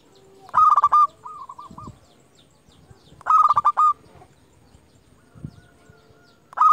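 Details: Local champion zebra dove lure calling rivals. Three loud phrases about three seconds apart, each a fast stuttering roll breaking into a few clear coos, with quieter coos and dull thuds between.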